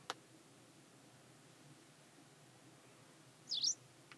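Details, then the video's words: One brief, high double-note call from a hybrid pied wagtail, recorded 4 May 2020 on Klokbekerweg in Ottoland, after a long quiet stretch with a faint click at the start. "(hybride) rouwkwikstaart"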